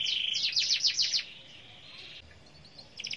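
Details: Canary in gacor song: a quick, loud, high trill for just over a second slides into a thinner sustained whistle, then near silence before a brief burst of sharp chirps returns.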